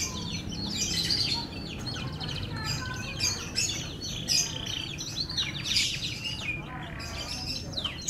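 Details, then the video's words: F1 canary in full song: dense stream of high twitters, buzzy trills and rapid chirps, varying in pitch, with steady low background noise. "KICAU MERDU KENARI F1"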